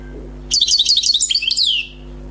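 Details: One rapid phrase from a freshly caught wild European goldfinch: bright jangling twitters climbing and falling, finished by a drawn-out descending note, with a soft steady hum beneath.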